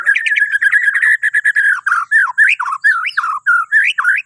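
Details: White-rumped shama from Borneo in fast, continuous song meant to coax other birds into singing at dawn: a rapid chattering run of notes, then looping whistled phrases separated by short gaps.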